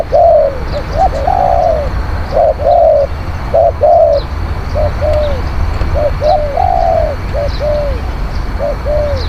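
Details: Spotted dove song used for luring wild doves: rapid series of short coos and longer arched coos, phrases repeated through nine seconds, with faint high chirps from small birds and a steady low rumble.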